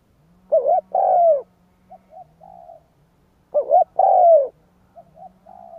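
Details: Spotted dove cooing, a recording used to lure wild doves: two phrases about three seconds apart, each a short wavering double note then a long, loud, slightly falling coo, followed by soft brief murmurs and a quieter trailing coo.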